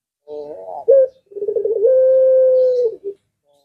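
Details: Collared dove of the puter pelung type giving its long call, said to make other birds reply: a low warbled opening coo, a short break, then rapid rolling notes swelling into a sustained even coo that falls at the end, followed by a brief final note.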